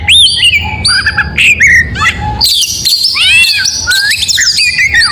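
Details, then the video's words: Oriental magpie-robin in full 'gacor mewah' morning song, delivering varied whistled notes, upward and downward swoops and clustered scratchy chatter, loud and close. "Suara Burung Kacer Di pagi hari GACOR MEWAH"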